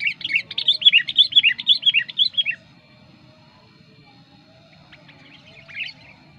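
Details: Sooty-headed bulbul singing as a trapping lure: a fast, even string of chirping, warbled notes lasting two and a half seconds, then near quiet with one faint distant chirp and low background hum.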